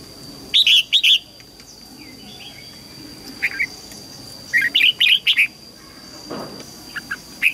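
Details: Red-whiskered bulbul song aimed at training young birds: several short bursts of rich whistled notes, some paired, spread irregularly, with a steady faint high tone in the background.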